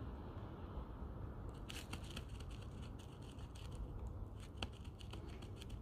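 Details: Low indoor rumble with scattered crackling clicks and scraping, and no clear animal calls.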